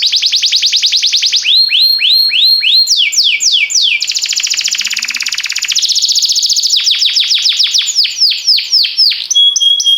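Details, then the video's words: Canary singing as a training song for other canaries: quick trills, looping descending sweeps, a long buzzy rolled tour and bursts of rapid repeated notes, loud and continuous. "Cantar canário faz seu canário cantar - o melhor treinador"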